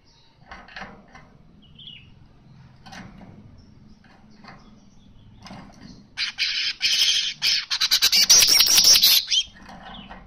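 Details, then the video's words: A Baya weaver gives quieter scattered chips and twitters, then a loud, wheezy, buzzing chatter of rapid pulses lasting a few seconds. "Burung kicau Manyar gacor suara asli"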